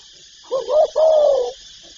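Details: Single cooing phrase of a spotted dove from its calling repertoire: a soft wavering two-note coo immediately followed by a longer, smooth, gently falling coo, with steady background hiss.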